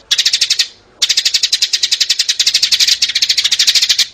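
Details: Sparrows, adults and young, in a trapping lure: nearly continuous trains of rapid high chirps, about eight per second, after one brief pause near the start.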